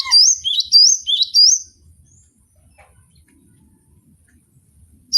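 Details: Caged gelatik batu, the cinereous tit, sings three or four quick two-note whistles, rising then sliding high, followed by near silence with faint low thumps.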